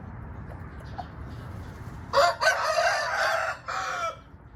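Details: Red junglefowl crowing: a loud harsh multi-part crow starting abruptly, a long strained middle phrase, then a short drawn-out ending, over low rumbling background noise.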